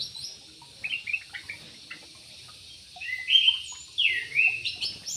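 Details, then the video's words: In an aviary, a yellow-vented bulbul gives a few soft chirps, then louder slurred whistles after three seconds. Some notes sweep downward, and a thin high note sounds above them. "BURUNG TRUCUK"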